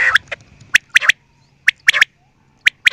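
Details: Sharp, high quail notes in a steady rhythm: a short pip then a quick pair, repeated about every second, each phrase bright and clipped.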